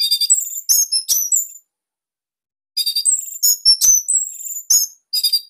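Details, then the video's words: An Orange-headed thrush, Bali type, delivering its dense, loud training song: two rapid, high phrases of sharp chips and piercing whistles with a pause of just over a second between them. "Kicauan ANIS MERAH Ini Cocok Buat Masteran Burung Sahabat Dirumah."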